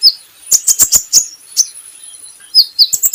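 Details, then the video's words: Brown-throated sunbird recorded to coax other birds into song: quick bursts of piercing high twitters separated by short pauses, plus a steady faint high whine in the background. "PANCINGAN KOLIBRI NINJA Bahan Agar Bunyi || MASTERAN Konin Agar Cepat Gacor"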